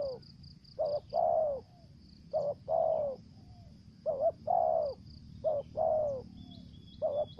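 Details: Decoy spotted dove, voice described as thổ dế, kèm dập and mai rừng. Four phrases in quick succession: a short stuttered coo pair, then a longer mellow downslurred coo, with steady insect drone in the background.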